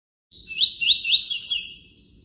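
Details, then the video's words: A tui-tui phrase in cortando canto style, delivered as quick repeated upward-curving whistled notes that merge into a drawn-out buzzy finish, with only a soft low rumble behind it from nearby running water. "Tui Tui ( cortando canto ) com intervalo e som de água corrente."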